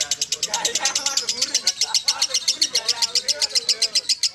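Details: Lovebird ngekek song delivered as a fast, regular string of rasping high notes, while softer wavering voice-like sounds drift through the background.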